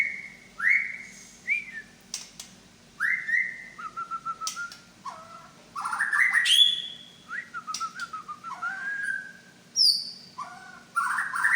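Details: White-rumped shama of the Medan type singing its imitated repertoire: varied whistled phrases, rising slurs, short trills and sharp clicks in quick succession, with a faint low hum throughout.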